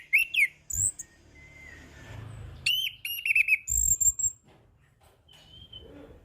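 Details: Orange-headed thrush singing in the relaxed 'ngeplong' style, a rich mix of loud whistled slurs near the top of the range, rising and falling notes and brief chattering bursts, with short quiet pauses and low background hum.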